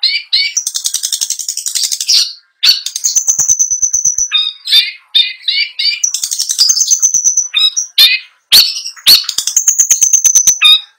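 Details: Long-tailed shrike, a caged songbird, alternating long buzzy high trills with drawn-out whistles and bursts of chattering, mimicked notes, the pattern repeated twice.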